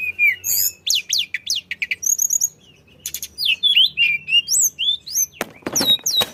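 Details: Constant flycatcher singing as a prompt for other birds: dense high chirps and swooping whistled notes in quick succession, a brief pause, then more twittering and a harsh rasping burst near the end.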